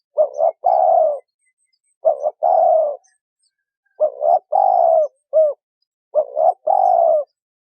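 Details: Female spotted dove calling to get a male cooing: steady series of hoarse, low phrases, a paired short coo then a long slightly falling note, some with an extra brief coo.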